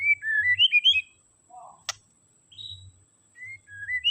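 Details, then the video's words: Captive white-rumped shama song used to stir up a shama that sings too little: short bursts of clear whistled notes, rising and falling, with pauses between phrases and a low hum beneath. "Kicauan Murai Batu Untuk Menaikan Emosi Murai Batu yang kurang gacor"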